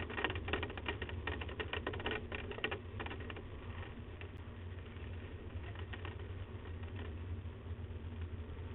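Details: Rapid irregular tapping and clattering, like typing or small mechanical clicks, over a low rumbling background; no animal voice is heard.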